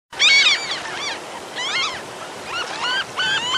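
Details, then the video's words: A Franklin's Gull in La Rioja, Argentina, gives a run of nasal, mewing calls, each with a quick rising-then-falling inflection, several in about three seconds; soft surf or wind behind. "Gaviota chica - Leucophaeus pipixcan"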